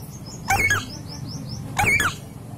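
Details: Indian Alexandrine parakeet, a talking parrot, giving two loud, harsh squawks with bending harmonic tones about a second apart, while small birds chirp faintly and high in the background.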